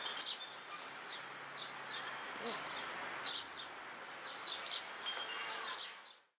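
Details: Cuban Martin (Progne cryptoleuca) in La Habana, Cuba, July, giving short, gurgling chirps and rising twitters every second or so over a steady hiss of background noise.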